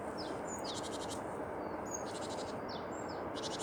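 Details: Singing tits give high, thin whistles and quick down-slurred notes, mixed with three buzzy, rattling bursts, against constant broadband hiss.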